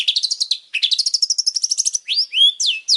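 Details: Long-tailed shrike singing loudly: fast high rattling trills running into each other, followed by slurred whistles that swoop up and down, all bright and shrill.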